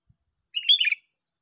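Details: A short, loud, liquid phrase from a Sooty-headed bulbul trapped in a park: a brief cluster of rolling chirpy notes lasting under half a second.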